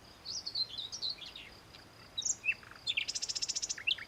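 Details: Male common nightingale singing for a mate, audible day or night; varied warbling phrases, then a fast rattling trill of about twenty rapid repeated notes ending in a whistle.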